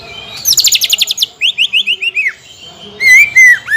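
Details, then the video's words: Lure song of a greater green leafbird, 'nekan dan nembak' style for stirring contest birds into singing: a fast buzzy trill of repeated notes, then a string of descending slurred whistles, ending with loud rising whistled phrases. "PANCINGAN CUCAK IJO GACOR NEKAN DAN NEMBAK"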